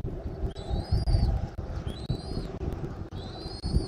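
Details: Eagle at its Southwest Florida nest, 13 January 2024, 14:17. Three thin, high whistles rise gently, each about half a second long and spaced about a second and a half apart, over steady low wind noise.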